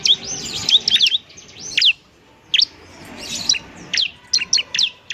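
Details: Ciblek in full gacor song, used as training material for untrained birds. A dense burst of high slurred chirps comes first, followed by a quiet pause, then sparse sharp chips and short trills.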